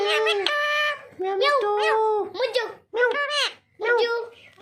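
A green parrot talks in four short, nasal, speech-like phrases, each with rising and falling inflections, in a quiet small room.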